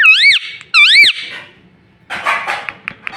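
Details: Two loud, smoothly up-and-down warbled squeaks from a talking pet ringneck parrot, followed after a pause by a burst of scratchy chatter.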